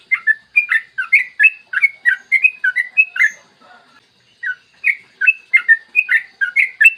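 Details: Morning recording of a yellow-vented bulbul in full, lively long-trill song, meant as a lure to get other bulbuls singing: fast chains of liquid, warbled whistles, broken by a brief gap near the middle before resuming.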